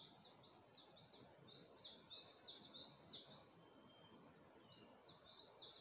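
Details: Early dawn birdsong at Gulmit in Hunza with a view of the Passu cones: quick series of high thin sweeping notes in bursts with a pause, against constant low background rumble.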